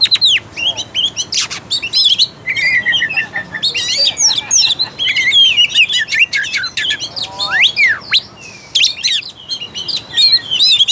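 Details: Long, varied Oriental magpie-robin song aimed at pushing a lazy bird to sing and fight: torrents of sharp chirps, buzzy trills, mimic-like rising and falling whistles, with only brief pauses.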